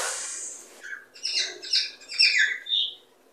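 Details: Cockatiel calls meant to encourage breeding: a hiss of noise opens, then a string of about five bright, harmonic chirps, some falling in pitch, spaced roughly a third of a second apart.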